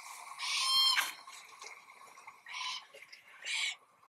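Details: A fledgling glossy black cockatoo calls noisily for food while its family feeds on hard seeds and nuts from an Allocasuarina tree; long rasping, wheezy squawks come in three drawn-out bursts over a steady background hiss.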